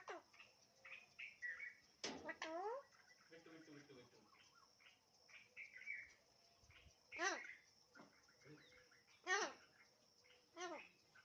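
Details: Alexandrine parakeet talking in a long run of chattering, whistle-like syllables. Several loud, sharp, harmonic bursts stand out near the start, middle and end, over a steady faint hum.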